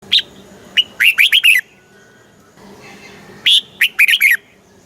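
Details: Caged red-whiskered bulbul from Thailand singing a southern master-song style meant to excite other caged bulbuls and teach young birds: two bright chirpy phrases of quick rising and falling whistled notes, separated by a pause over soft background hum.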